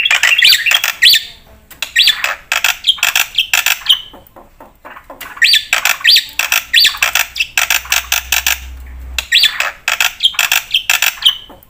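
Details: Black-winged myna singing loudly as a master and lure recording: bursts of harsh grating squawks with whistled inflections, repeated in phrases of about two seconds separated by brief pauses.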